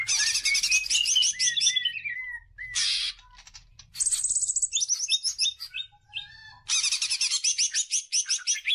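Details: Greater green leafbird song for luring other birds into singing: rich buzzy trills, a descending run of whistled notes, short harsh bursts, then a long rattling trill and more varied phrases.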